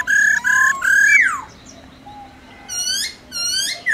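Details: Laughingthrush calling to wild birds in forest-style song, a female's 'ro ro' call alongside: three level whistles, a long falling slur, then two rising upswept whistles after a pause.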